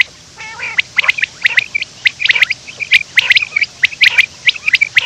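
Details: Morning quail, said to be running: a busy run of high sharp chirps and ticks, several per second, with one faint lower nasal note near the start.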